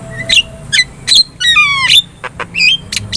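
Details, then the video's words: Javan myna song played as a master recording to prompt other birds to respond: varied sharp whistles, rising and falling slurred notes and harsh chips in quick irregular bursts, with a low steady hum beneath. "SUARA MASTERAN JALAK KEBO GACOR | Cukup Putar 2 Menit,Di Jamin Burung Lain Bakal Respon"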